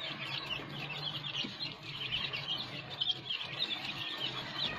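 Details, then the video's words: Captive-bred black francolin chicks make a dense, continuous chorus of thin, high peeping chirps that overlap throughout, with a faint low hum underneath. "Dakhni Teetar chicks | Teetar breeding | Teetar ki Awaz"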